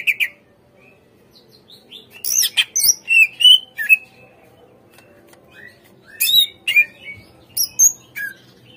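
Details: Lure recording of a greater green leafbird meant to get caged birds responding and singing, mixing harsh scratchy bursts with clear slurred whistles and short chattering phrases, with quiet gaps between.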